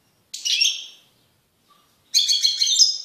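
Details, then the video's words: Male European goldfinch in a cage, singing forcefully after being kept apart from his female canary mate: two short bursts of high, tinkling twitter separated by roughly a second of silence. "تغريد قوي لذكر طائر الحسون بعد عزله عن أنثي الكناري"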